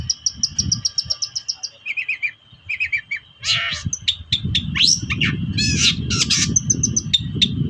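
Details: Long-tailed shrike sounds used as a lure to provoke reluctant caged shrikes into singing: rapid chattering series, then sharp falling notes and harsh buzzy squawks over a dense low rumbling background.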